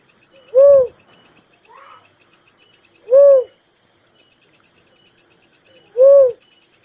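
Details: Three evenly spaced, resonant, arched coos from a little cuckoo-dove, each lasting about a third of a second and spaced around 2.7 seconds apart, with shrill insect chirps throughout.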